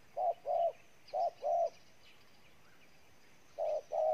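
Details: Spotted dove, wild-caught, from Ninh Thuận, Vietnam, giving low hollow coos in paired bursts, two pairs in quick succession, a pause of about two seconds, then another pair.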